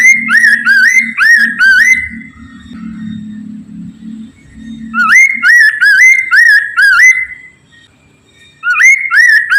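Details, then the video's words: Poksay Mandarin laughingthrush song used to draw other laughingthrushes into singing: bursts of loud, rapid upslurred whistles, each phrase of four or five notes, separated by pauses, over a low droning hum in the first half. "PANCINGAN POKSAY MANDARIN TERBUKTI AMPUH CEPAT DIRESPON POKMAN LAIN AGAR IKUT BUNYI"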